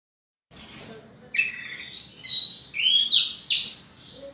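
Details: Orange-headed thrush song used to stimulate other birds to sing: loud, varied phrases of high whistles and slurred notes, some rising and some falling, delivered in quick bursts with short pauses between.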